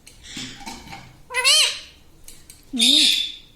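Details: Pet parrot mimicking "Mummy": faint murmuring at first, then two strong harsh voiced syllables about 1.4 seconds apart, the second lower and wavering, against a quiet background.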